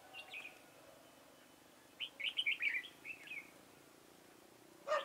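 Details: Red-whiskered bulbul kept as a trapping decoy, 4 February 2018: short whistled phrase, then a lively run of warbling notes and a falling whistle, ending with a harsher, broader burst.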